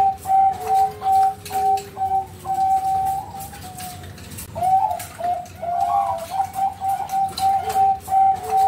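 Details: Captive-bred Bangkok zebra dove in Bekasi, West Java, Indonesia, singing to lure other doves: clipped coos in a steady rhythm of about 2.5 per second, some drawn out and wavering, over a soft, gliding lower whistle.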